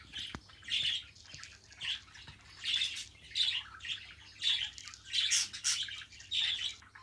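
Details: Domestic budgerigars chattering steadily, rasping warbled phrases and chirps repeated about every half second to a second, a continuous scratchy chatter over faint room hum.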